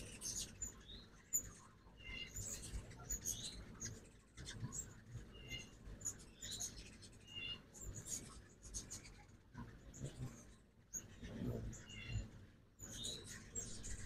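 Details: Ruby-throated hummingbirds at a backyard feeder in Oxford, Mississippi, on a 2024 fall-migration morning; sharp, very high chips and brief twittering bursts come in irregular clusters every second or two over low background rumble.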